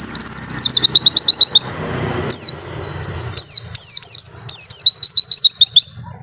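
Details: White-eye with a long 'wit-witttt' song, opening with a fast trill of high notes, then spaced sharp downslurred whistles and another rapid run; low rumbling noise throughout.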